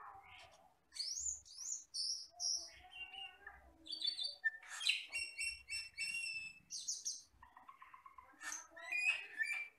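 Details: Asian glossy starling, described as a forest bird that sings once over three years old, in a tutor recording: a dense medley of sharp chirps, piercing whistles, buzzy chatter and clicking notes, nearly continuous for ten seconds.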